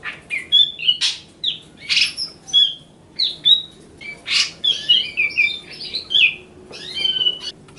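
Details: Grey-cheeked bulbul in riwikan song, a chattering series of short whistles and rasping notes, some harsh bursts mixed in, with a faint steady hum underneath.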